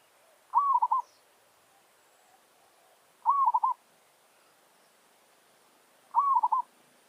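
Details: Village zebra dove calling in territorial challenge toward wild doves. A rising whistle breaking into a quick rolling stutter repeats three times, roughly every three seconds, against a quiet background.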